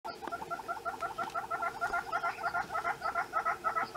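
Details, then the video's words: Southern Red-billed Hornbill calling while displaying in Kruger National Park, a steady run of clucking piping notes repeated about three times a second, each note double-pitched, over a faint hiss of bush background. "Southern Red-billed Hornbill calling and displaying"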